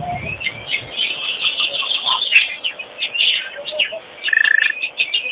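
Wattled starlings give a busy mix of squeaky, chattering and wheezy notes, with a brief rapid rattle near the end.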